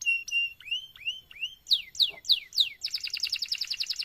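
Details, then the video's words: Singing canary used as tutor song for other canaries: clear level whistles, then upward-curving notes, four loud downslurred sweeps, and finally a fast, rhythmic double-pitched trill. "MASTERAN suara BURUNG KENARI GACOR PANJANG || COCOK untuk PANCINGAN KENARI lain"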